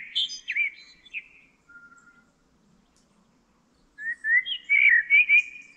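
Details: Presumed Common blackbird (owner thinks so) singing near Almonaster la Real, Sierra de Aracena, Huelva: two fluty, warbled phrases with a squeaky high flourish, separated by a short low whistled note and a pause; otherwise quiet.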